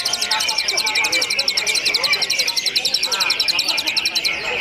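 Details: Greater green leafbird heard in a simulated contest with a full row of caged birds: a long, fast, very even high trill of clipped notes runs throughout, over softer warbled phrases beneath.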